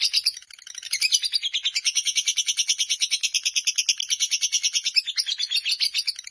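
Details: Lovebird of the fighter type delivering its long ngekek chatter: steady, rapid, high-pitched rattling notes, about three per second, strongly pulsed and unbroken throughout.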